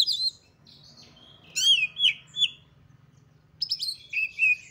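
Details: Highly excited Oriental magpie-robin song, used to stir rival magpie-robins to sing. A sharp opening note, a pause, then three loud looping whistled phrases and a final burst of high buzzy chips and slurred whistles over faint hum.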